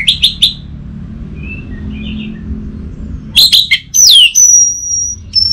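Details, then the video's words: Orange-headed thrush (anis merah) song used as a lure for silent caged birds: a few sharp high chips, then loud slurred whistles and a long steady high whistle, with a low rumble underneath. "Burung ANIS MERAH Macetan Terpancing Gacor Didengarkan Kicauan Ini"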